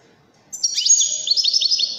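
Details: Wedani goldfinch from Morocco: a sudden start of high, tinkling twitter with a downward slur, followed by a rapid run of repeated liquid chirps over a thin sustained tone.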